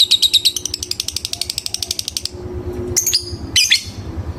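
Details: Lovebird calling a rival, giving a rapid series of sharp chattering notes for about two seconds, then a pause and two brief, high squeaky calls, recorded indoors.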